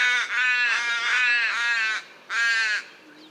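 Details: Common raven giving long, grating caws, three run together and then one more after a short pause, each hoarse and harmonic-rich with a faint background.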